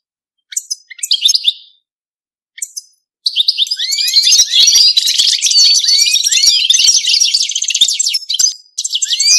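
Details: European goldfinch in mating song: a few short twittery notes, then a long continuous outpouring of tinkling, rapid chatter laced with rising slurred whistles, breaking off briefly near the end.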